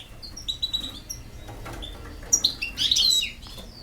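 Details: European goldfinch song: a string of thin, high whistled notes, a pause, then a loud, dense burst of rapid tinkling twitters and buzzy trills, over a faint low hum.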